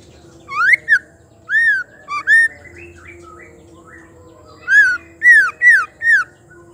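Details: Female white-rumped shama voice, played to make male shamas sing: clear whistled notes, each rising then falling, given singly or in pairs with short gaps, and a steady low hum throughout.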